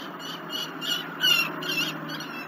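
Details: Peregrine falcon chick begging as it is fed at a cliff-face nest near La Crescent, Minnesota, above the Mississippi River, evening of 19 July 2019; a few thin, harmonic squealing notes rise out of steady background hiss.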